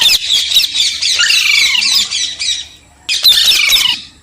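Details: Parrot screeching in a long, harsh, grating squawk lasting over two seconds, then a brief pause and a second shorter burst.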